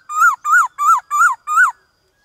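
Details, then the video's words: White-cheeked laughingthrush singing a forest-style song, used to train captive birds: five clear, mellow whistled notes that rise and fall, evenly spaced about every third of a second, with no other sounds. "Khướu bạc má Hót Đảo Giọng"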